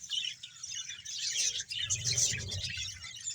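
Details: Budgerigars from a colony of about a hundred pairs in Bahawalpur: a brief burst of busy high chirping and warbling, with a low thumping or rumbling noise rising toward the end.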